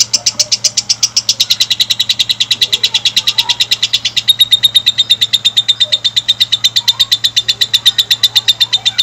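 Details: Lovebird giving a long sound to stimulate other lovebirds to sing: a sustained, loud train of fast high chirps lasting about nine seconds, becoming more whistled after midway, over a steady low hum.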